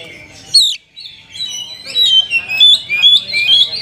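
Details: Oriental magpie-robin song played to provoke silent caged birds: one sharp downslurred note, a brief pause, then rambling, warbled whistles that build in loudness over faint background hiss.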